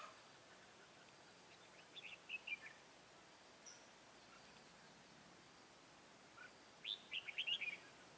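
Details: White-cheeked red-whiskered bulbul singing as a trapping decoy on 1 September 2017. Two short bursts of bright, rapid whistled notes are separated by a long quiet gap, and the second phrase is louder and fuller.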